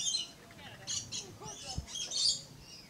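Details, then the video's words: Red-collared lorikeet in Florida's Lion Country Safari giving a run of piercing screechy squeals, with a low thud partway through. "Red-Collared Lorikeet Bird"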